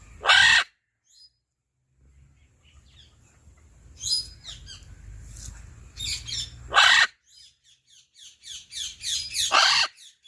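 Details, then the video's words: Macaw in a cage giving loud harsh raspy squawks, single blasts separated by pauses of a few seconds, then a cluster of shorter grating notes near the end. "Makao natural sound in Cage."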